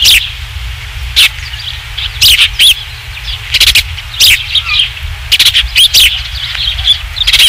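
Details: Ospreys at the Dunrovin Ranch nest, 27 July 2016 near 19:55, during the third fish delivery, nest camera: repeated shrill piping notes in uneven runs, mixed with sharp gusts of wind noise and a steady low hum.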